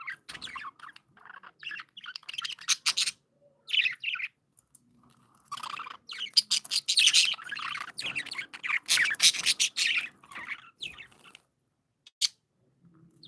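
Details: Pet budgerigars kept as happy, playful birds chirp in a lively flock, with bursts of bright, scratchy warbles and sharp tweets overlapping irregularly, louder clusters around the middle, then brief pauses and a lone high chirp near the end.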